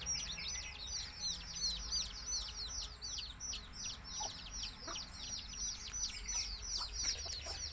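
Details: Baby chicks of a village chicken flock peep rapidly in high, down-slurred notes, many voices overlapping, a couple of low knocks near the end over a quiet hum.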